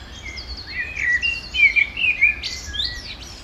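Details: Common blackbird feeding at breakfast on the banks of the Manzanares river, Madrid, 17 February; short chirped and warbled notes, some rising and falling, clustered in the middle and end, over faint low background noise.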